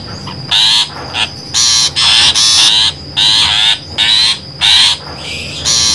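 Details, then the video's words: Rasping, grating calls of a long-tailed shrike used as a trapping lure, each burst near half a second, delivered in a fast uneven series with short gaps and a thin continuous tone in the background. "suara pikat burung pentet"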